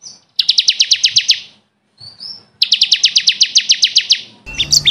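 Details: Bar-winged prinia song for training caged birds: two fast trills of about a dozen sharp, buzzy notes each, separated by a pause with a short rising squeak, followed by a brief burst of other chirps.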